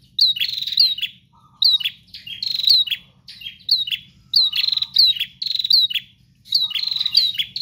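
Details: Persistent gacor song of a bar-winged prinia: bursts of rapid high chirps with quick downward slurs, separated by brief pauses, occasional short low buzzing notes, and a faint low hum throughout.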